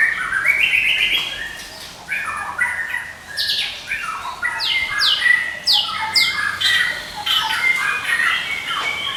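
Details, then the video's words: White-rumped shama, Medan type, a training master bird, sings varied phrases: warbled mid-pitched notes, then a series of sharp downward-sweeping whistles repeated rapidly, ending in chattering trills. "MURAI MEDAN NGEKEK TIADA HENTI"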